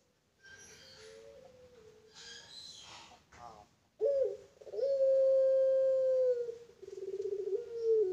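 A Barbary dove gives a long, drawn-out, steady coo that ends in a wavering roll. Softer murmuring and what may be a human voice come first.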